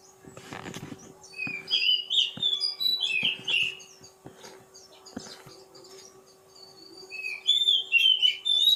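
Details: Oriental magpie-robin song in two bursts of sweet, fluty whistles and quick warbles, separated by a quieter pause, with knocking and clicking sounds near the start and a constant low hum.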